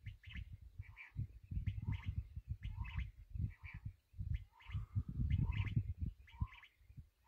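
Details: Black francolin, called kala teetar or sindhi teetar: harsh, grating multi-note phrases repeated about every second, each with a low note and higher scratchy notes, over strong low rumbling wind or handling noise.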